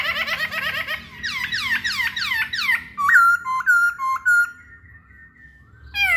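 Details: Cage-kept masked laughingthrush whose song is used to prompt other birds to sing: busy chattering notes, then repeated downward-sweeping calls, followed by four clear slurred whistles and a trailing tone.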